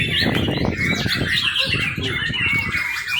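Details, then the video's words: Brief burst of song from a young white-rumped shama used as a training lure: thin whistles and chirps above loud low rustling and thumping. "murai batu muda. cakep buat pancingan"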